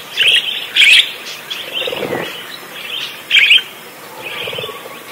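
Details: Parakeet singing actively: a few loud, scratchy warbled chirps stand out from softer twittering, with a quiet low murmur around the middle.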